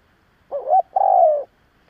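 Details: Decoy spotted dove calling to stir up rival doves; one clean phrase of a quick warbling double note followed by a long mellow coo that slowly drops in pitch, in near silence.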